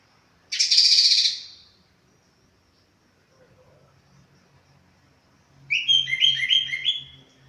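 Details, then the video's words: Orange-headed thrush after moulting: a loud noisy burst, then after a pause a quick run of bright, warbled, overlapping notes in varied pitch, with a low hum in the background. "Burung Anis Kembang selesai mabung"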